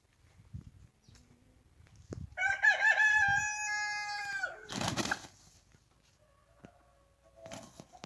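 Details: Rooster crowing with one long, drawn-out crow of about two seconds, bright and harmonic, steady then dropping at the end, surrounded by scattered knocks, rustling and a burst of wing-like noise.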